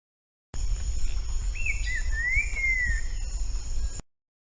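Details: Green-winged saltator, bico de pimenta form, heard in the wild giving a single mellow whistled phrase that slides down, rises and trails off, against heavy low-frequency background noise and a persistent thin high hum.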